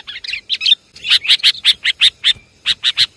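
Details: Sooty-headed bulbul lure call: a few bubbly warbled notes, then a steady series of short, sharp chirps, each clipped and bright, spaced about every fifth of a second.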